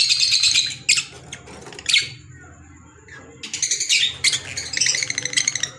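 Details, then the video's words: Pet green Fischer's lovebirds give a buzzy chattering phrase, two harsh squeaks, a pause, then a rising stream of rapid, rhythmic shrill twitters. "Fisher Love Birds Sound | African Lovebirds | Green Fisher Love birds Voice"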